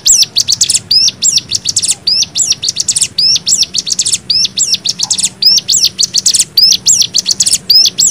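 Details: Cigun song variation in nembak style for training young birds: quick paired notes forming sharp rising-falling shapes, rattled out in rapid repeated groups, dense and continuous.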